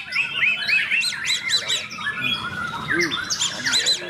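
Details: White-rumped shama (murai batu) singing: bright, high whistled notes that arch up and down, given in quick runs of three or four, with one lower arched note near the end, over a busy background of other chirping birds and faint voices.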